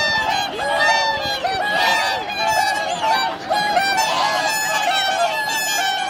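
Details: Whooper and tundra swans wintering at Lake Hyoko, Agano City, Niigata, Japan, on January 8, 2022, with 2628 swans counted; a steady chorus of nasal honks and trumpeting notes from many birds, layered and unbroken throughout.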